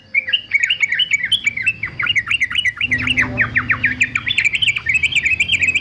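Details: Male yellow-vented bulbul sold as a fighter for song training gives a continuous, fast chatter of looping whistles, then a stretch of sharper down-slurred notes, and back to bubbly warbling.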